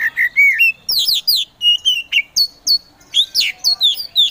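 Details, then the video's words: Kacer poci variety of Oriental magpie-robin, a kept songbird, singing a provoking song meant to stir sluggish birds into song: loud whistled phrases, rising slurs and sharp chips repeated in quick bursts, no other sounds. "KACER POCI GACOR SANG PROVOKATOR || LELET SUSAH BUNYI SEKIAN DETIK LANGSUNG GACOR"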